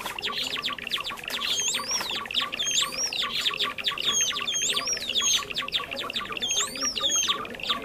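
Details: Lure sound for trapping Java sparrows, birds of rice paddies and fields: continuous bright twittering chatter of many quick high notes, broken by sweeping whistles that rise and fall several times.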